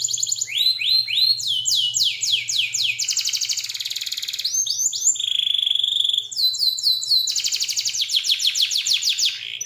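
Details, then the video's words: Canary song for mastering other cage birds, rich and varied: bursts of rapid sweeping notes, a sustained buzzy tone, then dense high trills and rolls, all clear and loud with a faint background hum. "COCOK BUAT MASTERAN KENARI PAUD, F1YS GACOR ~ MANUK KICAU"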